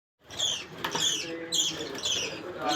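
A budgerigar chick gives harsh, raspy, repeated begging calls while being fed.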